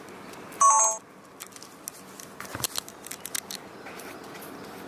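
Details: A short electronic beep followed by scattered clicks and handling noises indoors, with no animal calls.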